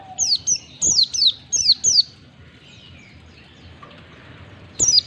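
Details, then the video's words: White-eye chirps meant to make caged white-eyes sing ngalas and open their beaks. A rapid series of six high, downward-sliding chirps, a quiet gap of nearly three seconds, then another burst. "Pancingan pleci agar cepat ngalas buka paruh, masteran pleci cepat ngalas"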